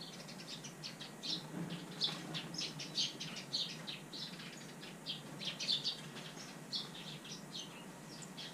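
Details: A pet common hill myna indoors on 17 October 2021, drying after an early-morning bath on a day of poor weather, gives quick bursts of short bright chirps and clicks, several per second, over a low hum.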